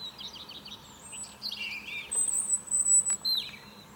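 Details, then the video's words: European robin singing in the morning from a fir tree: varied high, thin warbling phrases with quick trilled notes, gliding slurs and a long, very high sustained whistle, over a faint low steady hum. "Niesamowity śpiew rudzika."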